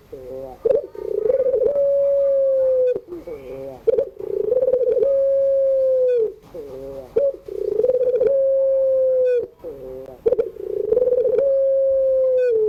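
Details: Afternoon pelung-style cooing of a puter, the Barbary dove: four long, level coos in a row, each beginning with a rattling pulsed onset and ending in a gentle downward fall, separated by brief quiet gaps.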